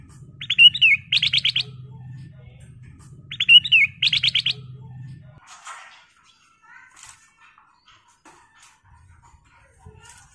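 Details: Sooty-headed bulbul song offered as a lure to provoke other birds: two matching phrases about three seconds apart, each a liquid whistle followed by a fast run of short sharp notes, over a low hum, then faint scattered chirps.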